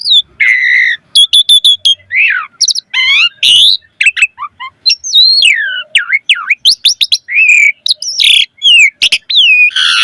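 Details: Vigorous Asian pied starling song, a dense run of swooping whistles, upward-curving notes and quick harsh chatters, phrases changing every fraction of a second with only short pauses between them.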